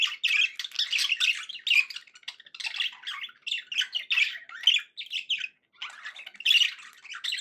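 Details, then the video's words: Pet budgies chattering happily in an almost unbroken run of squeaky, scratchy chirps and buzzy warbled notes, pausing once briefly. "happy budgie sounds"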